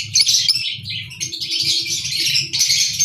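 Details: Albino red-eyed lovebirds giving continuous harsh, high, raspy chattering calls, with low rustling noise underneath throughout.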